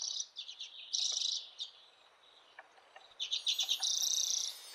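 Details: Redpoll by the river Svartån, Västerås, Sweden, giving two bursts of rapid, high, buzzy chattering calls, each over a second long, with a quiet pause between.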